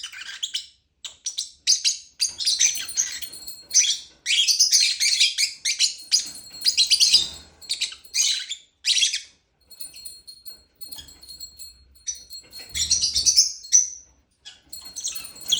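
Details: Lovebird chirping almost continuously: dense, scratchy high chatter with thin sustained whistled tones woven in, a few short gaps, and faint low thumps.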